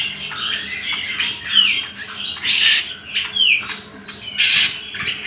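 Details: Greater green leafbird song recorded as bait and master material for training other birds: dense, chattering high warble with sweeping whistles and downslurred notes, overlapping phrases in quick bursts, a faint steady low hum beneath.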